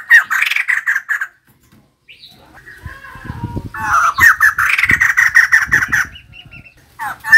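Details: Female white-crested laughingthrush singing vigorously. Raspy chattering runs alternate with softer low notes, building into long, rapid laughing phrases.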